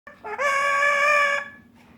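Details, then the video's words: A female pet yellow-naped amazon imitates a rooster's crow: a loud, rich, nasal note that steps up, then holds steady for about a second before cutting off. "Amazon parrot making animal noises, talking"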